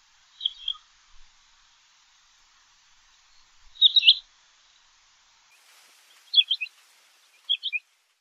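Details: Common quail calls spaced across several seconds: high, abrupt notes, some single and some grouped in quick triplets, against a quiet background.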